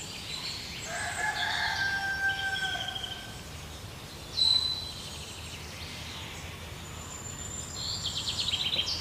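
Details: Black woodpecker (Dryocopus martius) in the morning while raising young, giving a drawn-out, wailing call with strong harmonics for about two seconds, then a sharp short note and some harsh, buzzy calls at the end.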